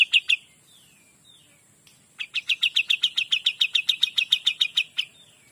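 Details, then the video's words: Kapas tembak singing in energetic 'gacor dor' style: a few sharp notes and soft falling slurs, then a long rapid burst of clipped high chirps repeated about four times a second. "KAPAS TEMBAK GACOR DOR"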